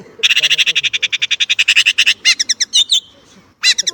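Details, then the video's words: Chinese blackbird delivering a long rapid series of about twenty harsh chattering notes, followed by fast twittering slurred notes, a brief pause, then another scratchy burst. "烏鶇(黑鶇)的叫聲/Sound of Chinese Blackbird"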